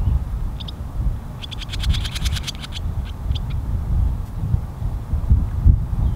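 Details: Barn swallow (Hirundo rustica) at Pease Tradeport, New Hampshire, giving a quick run of about ten sharp, high chips, with a few single chirps before and after, over a steady low rumble of wind.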